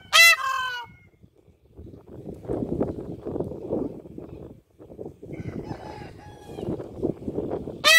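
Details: A peacock flies: a loud, nasal, trumpeting peacock cry opens and closes the recording, with a stretch of low rustling and wing-flapping noise between the two calls.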